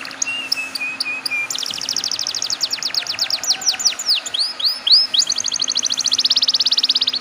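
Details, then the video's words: Canary song used to coax young canaries into song: a low warbled phrase, then a long trill of sharp descending notes, looping upslurs, and a fast ringing roll at the end. "PANCINGAN KENARI BAHAN TERBARU"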